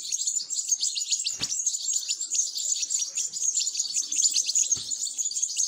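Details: Nestling European goldfinches being fed beg with an unbroken stream of shrill, high-pitched chirps in quick succession, broken by two faint low thumps.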